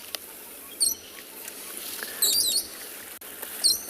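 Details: Parrots fly in over a wetland area in a South African game reserve on a blustery, overcast afternoon, 4 February 2021, giving shrill, high squeaky screeches in three short bursts over about four seconds, over a faint hiss.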